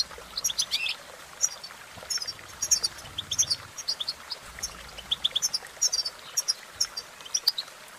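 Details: European goldfinch song: cheerful, fast jumbles of high, tinkling notes and short buzzy trills in irregular phrases, with a soft low rumble in the background.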